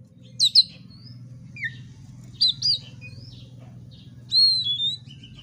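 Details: Oriental magpie-robin song used as a lure to provoke fighting: scattered bright whistled phrases, some rising and some falling sharply, with a longer upslurred whistle near the end; steady low hum beneath.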